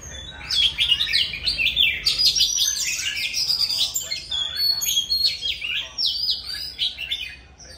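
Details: An old forest-caught Oriental magpie-robin sings very loudly: rich, varied whistles, fast warbled phrases and sharp high notes that run on without a break.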